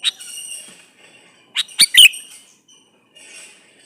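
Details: Male sooty-headed bulbul calling for a female, played to draw bulbuls into replying. One sharp phrase of three quick, ringing chirps stands out, the final note slurring downward. Faint hissy background and softer chirps come before and after it.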